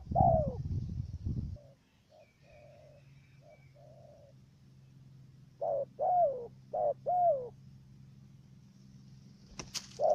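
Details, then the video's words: Cà Mau, Vietnam decoy dove for luring wild doves into a trap; after rustling and a falling coo, quieter distant coos follow, then a stuttering run of short hooked notes and longer coos. "Bổi thổ gù cà lăm tiếng đầu"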